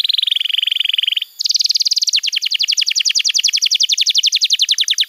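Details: Canary song for young birds: a low buzzy rattle, then a higher fast trill that becomes a steady series of sharp downward-sweeping notes.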